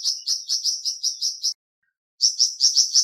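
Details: Flamboyan bird chirping in quick high notes, about six per second-and-a-half, stopping briefly and then picking up again; used to encourage a kept bird to sing.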